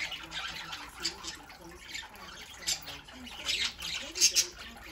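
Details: Several pet parakeets eating chop and vegetables such as parsley, broccoli and kale, indoors; short harsh squawks and chattering bursts come at irregular intervals, loudest near the fourth second, over a low steady background hiss.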